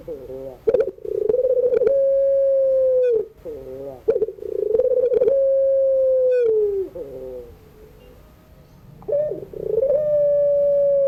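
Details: Evening crying-style song of a puter pelung dove used to tutor young birds: repeated phrases of pulsing coos flowing into long steady notes, with a quiet pause near the end before a final drawn-out note; a low hum underneath.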